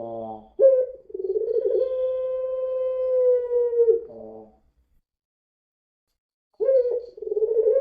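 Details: Puter pelung dove lure song: a rough rattle opening into a long, steady, mellow coo that ends in a throaty break, a pause of silence, then the coo starting again.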